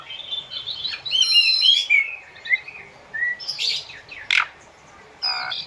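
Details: Asian pied starling singing, used to train captive birds, mixed with flowing-river nature sounds: a jumbled run of whistles and chatter, a clear falling whistle, then harsh raspy bursts and sharp squeaks with short pauses between.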